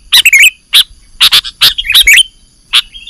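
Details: Kutilang (sooty-headed bulbul) lure calls for catching birds: a few crisp, bubbly downslurred chirps, some doubled, spaced through a short passage.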